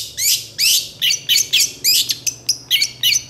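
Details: Excitable long-tailed shrike singing a full, varied repertoire, described as quick to answer other shrikes: about ten loud, raspy, down-slurred bursts in rapid succession, roughly three per second, with a couple of thin whistles between them.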